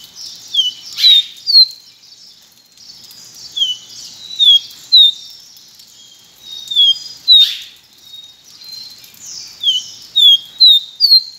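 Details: Pileated finch song: clear, sweet whistled notes, each sliding downward or swept upward, given in phrases of three to five with pauses between. Occasional sharp rustling bursts are also heard.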